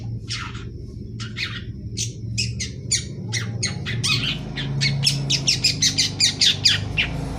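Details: Ngeriwik chatter of a young long-tailed shrike learning to sing: scattered scratchy rasps that speed up into a rapid run of harsh notes near the end, with a low background drone.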